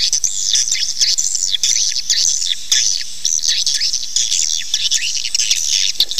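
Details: Swiftlets calling in a recording played so the birds settle and nest: dense, high, wavering twitters and trills overlapping almost without pause.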